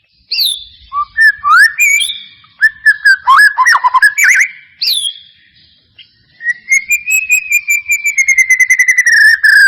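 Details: White-rumped shama song played as a lure to coax reluctant shamas into singing: varied loud whistled phrases and sharp notes, ending in a long fast trill of repeated clear whistles.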